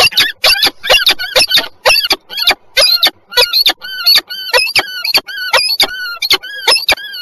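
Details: Wild peregrine falcon pair in a brief, quick meeting at Żerań, Warsaw, Poland, on 14 October 2022: loud, harsh repeated calls in rapid series, several notes per second, with bands of overtones, steady throughout.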